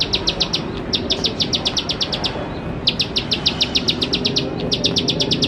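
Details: Lure song of the Bar-winged prinia, locally ciblek sawah, for young birds to learn from: three short rattling runs of sharp, high ticking notes at a fast, steady pace with small breaks between, against a low hum.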